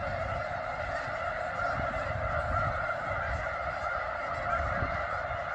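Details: A huge flock of snow geese at McNary National Wildlife Refuge, Headquarters unit, Washington, giving dense overlapping honks in a continuous chorus above low background rumble.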